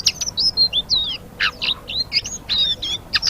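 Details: Quick, varied ngeriwik phrases from a Blue-winged leafbird: high looping whistles, sharp up-and-down slurs and short chips follow each other rapidly in a clear recording.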